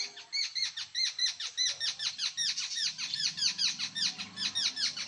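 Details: Jungle babbler, known locally as kekati, in Konkan, India; a continuous run of harsh squeaky notes repeated rapidly, nearly two per second, with a steady rasping rhythm throughout.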